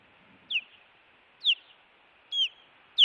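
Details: Osprey at its nest in Montana, recorded by a live nest camera on 16 June 2017 as an intruder approached: four piercing, down-slurred whistled chirps about one second apart.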